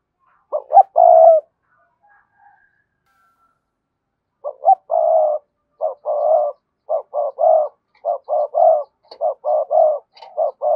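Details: Spotted dove, cườm sa type, coos repeatedly to urge other doves into cooing. Low mellow phrases of short clipped notes and drawn-out hums, one phrase, a pause, then a long run of evenly paced notes.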